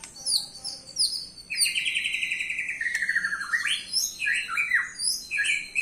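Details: White-rumped shama song used as a lure to make other birds answer: a varied, fast run of high whistled and chirping phrases, some sliding down in pitch, with short pauses between bursts.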